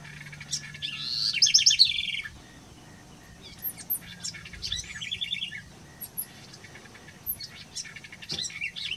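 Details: A house wren (Troglodytes aedon) pours out a loud burst of tumbling, chattering trills lasting over a second. After a pause comes a softer second phrase, with scattered faint chips between phrases.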